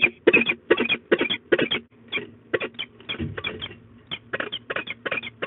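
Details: Peregrine falcon pair at De Mortel scolding on 15 March 2022 at 13:40, the female leading and the male helping. Harsh cackling bursts run rapidly, pause and soften briefly midway, then resume as quick grating series over a low hum.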